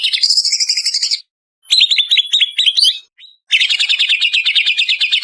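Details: Lure song from a Banyuwangi greater green leafbird. A buzzy two-part trill is followed after a pause by clipped chattering notes, then a long, fast, steady rattling trill to the end.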